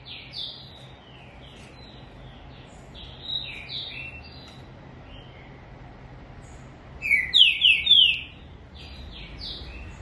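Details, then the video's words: Green-winged saltator singing a series of soft, descending whistled notes, then a loud burst of three strong, clear, downslurred whistles near the end. Fainter whistles sound in the background. "TRINCA-FERRO LINDA CANTORIA"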